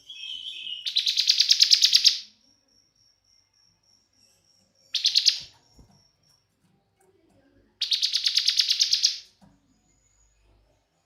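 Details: Bar-winged prinia song used to excite other birds into singing: three separate bursts of fast, high, buzzy chirping, the middle one very short, with quiet gaps and a thin steady high whine between the first two bursts.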